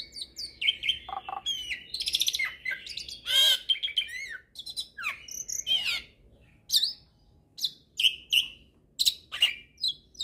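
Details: Full song of a hybrid starling, recorded to teach magpie-robins and kacers; a rich mix of whistles, harsh rasps and zigzag warbles, then sharp separated chirps toward the end.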